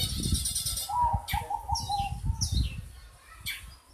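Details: Strange call of a long-tailed shrike: sharp descending high sweeps spaced about a second apart with a wavering mid-pitched tone between, against constant low-frequency rumble and noise.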